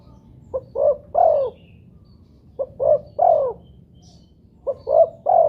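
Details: Spotted dove (tekukur, derkuku) cooing, used as a lure recording to get other doves calling: three-part phrases of two short rising notes then a longer falling coo, repeated about every two seconds, low steady background hum.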